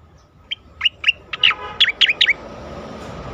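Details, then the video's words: Asian pied starling song, used as a training recording for competition birds: a quick run of short, sharp whistled notes, some with downward bent tails, about eight notes over two seconds, against a steady low hum. "khas cica koreng suara shahduh sangat bagus untuk masteran burung lomba"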